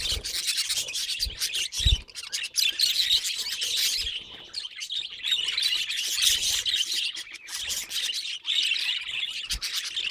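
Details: Budgerigar making strange sounds: continuous high scratchy warbling chatter, rapid chirps and clicks, with a few low thumps.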